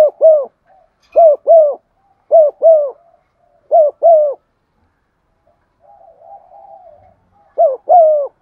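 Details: Lure spotted dove cooing to stir up other doves, giving paired soft hooting notes repeated in quick couplets, with a faint low murmuring coo between phrases and otherwise quiet surroundings.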